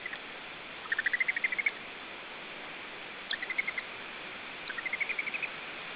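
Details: Lesser spotted eagle at its nest in Estonia, picked up by a nest camera on 29 July 2013. Three runs of short yelping notes: about ten rising slightly, then a brief burst, then a final climbing series, over steady hiss.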